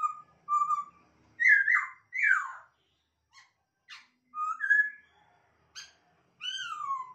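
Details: Captive masked laughingthrush: level whistles, two loud falling slurred whistles, brief clicks, then rising and long descending whistles spread over several seconds; faint low hum behind.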